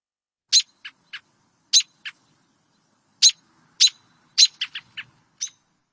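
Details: American robin giving sharp, high, clipped notes in uneven bursts of two to four, with no steady rhythm or predictable pattern; likely an alarm call. Nothing else is heard.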